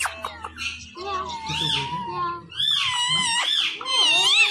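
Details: Chatty pet Indian ringneck parakeet voicing high, nasal, word-like phrases that rise and fall, delivered in two connected bursts with faint low room hum.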